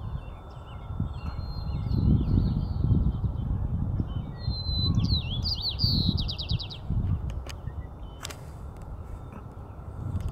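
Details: White-crowned Sparrow sings at Harbor View Park near the University of Portland, Oregon, on 15 April 2019: a brief high whistle, then jumbled notes and a quick buzzy trill, fairly faint under heavy low wind rumble.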